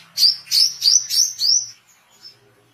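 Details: Oriental white-eye singing busily, a recording meant for training songbirds and luring wild birds: five loud, high, rising chirps in quick succession over about a second and a half, then near quiet with a faint low hum.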